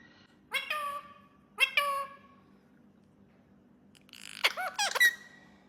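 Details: Pet parrot talking indoors: two short harmonic squawky phrases near the start, then a burst of rapid clicky, speech-like chatter ending in a thin high whistle, with a low steady hum throughout.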